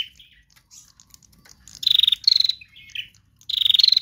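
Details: Trotol song of a female prinia, a lure for other birds: two loud, harsh, rapidly pulsed buzzes under half a second long, after softer scattered chirps and a short high whistle.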